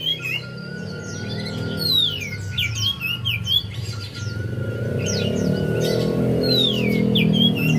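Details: Javan white-eye song used as a lure for a quiet bird: high descending whistles and twitters in short bursts, increasingly masked by a loud low rumbling background noise in the second half.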